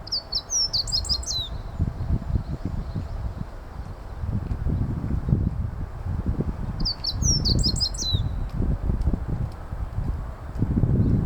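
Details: Meadow bunting song along a familiar walking path: two brief, high, rapid twittering phrases about seven seconds apart, heavily masked by strong low rumbling noise, likely wind, throughout.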